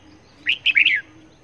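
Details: Red-whiskered bulbul used as a decoy bird for trapping, from Long Thanh: a short burst of three or four clear, warbled notes lasting about half a second, loud over a quiet background.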